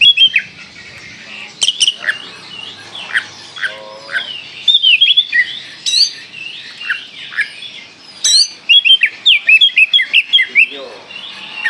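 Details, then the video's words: Kalimantan-type Oriental magpie-robin sings continuously in the busy tembakan style: varied whistled phrases, rising and falling slurs, a short low warble midway, and a fast run of repeated sharp notes near the end. "Kacer Kalimantan gacor full tembakan"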